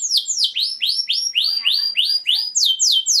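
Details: Mating song of a canary: a steady sequence of sweeping downslurred whistles, about three per second, clear and high, with fainter overtones above.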